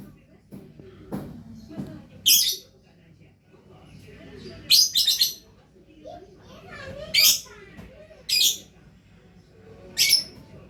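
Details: Gacor lovebird calling in shrill, rasping bursts about every two seconds, some doubled, with soft lower-pitched sounds and faint murmuring early on.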